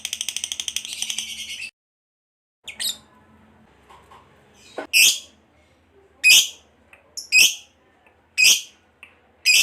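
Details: Fighter lovebird calling: a short, fast high chatter, a pause, then loud, sharp single squeaky chirps spaced about a second apart.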